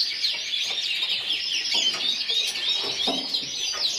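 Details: Yellow frosted lipochrome canary, individual runner-up in the Burgos 2014 contest, singing a continuous high trilled song with quick rising and falling whistles over a faint hall background.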